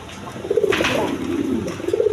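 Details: Farm-kept pigeons with eggs and young make low, rolling coos in short bursts from several birds. A brief rustle comes partway through, and a room hum sits underneath.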